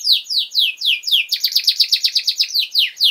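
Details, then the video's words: Pet canary singing a 'gacor' tutor song for young birds: slow descending whistled slurs about four per second, switching to a quicker run of sharp repeated syllables. "Canary Singing!Masteran Kenari Gacor Durasi Panjang"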